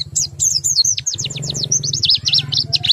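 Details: White-eye not fully in breeding condition, singing a rapid run of high whistled and twittering notes, each sweeping down, strung close together, over a steady low hum in the background.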